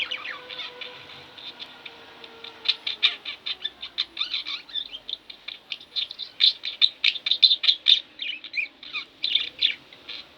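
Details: Pet budgies at home start with a soft, quiet warble that builds into a fast, irregular stream of sharp chirps and chatter, growing louder toward the middle and end.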